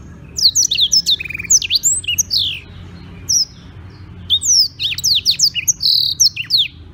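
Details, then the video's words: Black-throated canary song from Beng, Gianyar, Bali, recorded as a master for other birds: clusters of high sweeping chirps and a short buzzy trill, a pause around four seconds, then another rapid burst of whistled, looping notes. "Blackthroat Gacor buat masteran"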